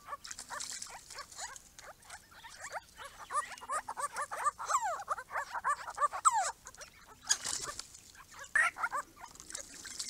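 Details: A small group of Grey-crowned Babblers at a pond built for them: a busy burst of overlapping downward-sliding squeaky notes, some sharp and bright, with a soft low hum in the background.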